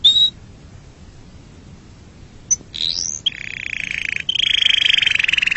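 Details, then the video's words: Canary song opening with a short high whistle, then a lone clipped note and an upward-sweeping slur, followed by a fast steady rattling trill that grows louder toward the end. "Canary bird sound for montage / صوت الكناري للمونتاج"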